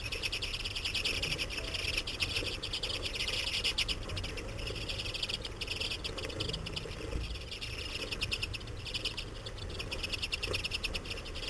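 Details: Common redpolls visiting feeders in winter during a finch irruption year, after over a foot of snow, in Saratoga Springs, New York; dense, overlapping high twittering and buzzy chatter runs throughout over a low rumbling background.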